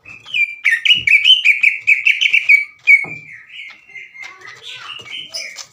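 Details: Greater green leafbird giving aggressive challenging song: quick repeated whistled notes in a fast chatter, then softer drawn-out whistles and quieter warbled phrases.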